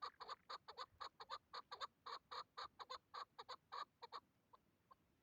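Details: Tethered hybrid chukar partridge, kept as a hunting decoy, calling during a hunt: fast, uneven chain of loud, harsh chuck notes that breaks off into a few faint notes at the end.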